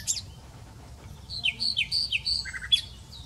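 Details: Common nightingale singing a varied phrase: a high chirp, then a run of quick downslurred whistled notes, a short low trill and a sharp upward flick to finish.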